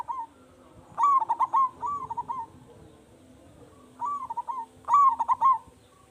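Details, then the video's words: Vocal local zebra dove with a strong voice, its cooing meant to provoke answers from other doves. Bright rapid-noted coo bursts alternate with gentler rolling phrases, grouped in two bouts separated by a quiet gap. "Perkutut Lokal Gacor Suara Besar"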